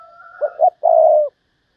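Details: A spotted dove decoy calls thúc bổi style: a quick pair of low notes and a long mellow coo, over a faint steady higher whistle-like tone at the start.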